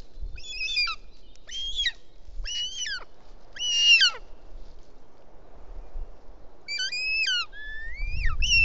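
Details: Bonelli's eagle chick in Els Ports, Catalonia, 19 June, begs its mother for help after the father delivers a toad; the female then feeds it. High, thin, wavering squeals in short bursts, about one a second, then longer rising whistles, over low rumbling.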